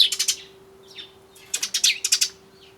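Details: Eurasian tree sparrows coming to a bird feeder on 20 January 2013, a turtledove calling nearby: quick runs of bright, high chirps in two bursts, with a few softer notes between and a faint steady hum behind.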